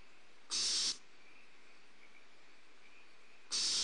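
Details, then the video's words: Two loud rasping hisses from Barn owl owlets at Starr Ranch as prey is delivered, nest camera, 2 April 2011; the bursts come three seconds apart, separated by near silence. "Starr Ranch Barn Owls: Prey drop to owlets"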